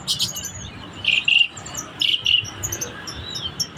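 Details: Black-collared starling singing energetically in captivity. Two short, bright warbled bursts, then another pair about a second later, with faint high chirps and a low rumbling background.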